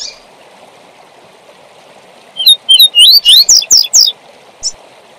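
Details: Tui tui zel zel song, used for training young birds, from a double-collared seedeater: a rapid run of sliding whistles and sharp high strokes lasting under two seconds, ending with one chip, above constant low hiss.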